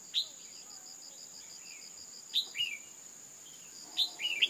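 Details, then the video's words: Female red-whiskered bulbul calling to excite males: a lone high chip, then two phrases of sharp chip plus lower slurred note, fairly faint against a continuous high pulsing insect-like trill. "tiếng chim chào mào mái kích trống căng lửa"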